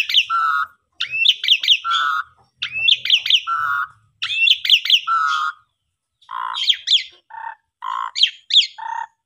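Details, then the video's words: Asian pied starling song played to stimulate silent, sulking birds; repeated phrases of quick downslurred whistles ending in flat fluty notes, then a shift to buzzy low notes alternating with sharp whistles. "Pancingan Jalak Suren Gacor Bagus Untuk Jalak Suren Macet/Pundung"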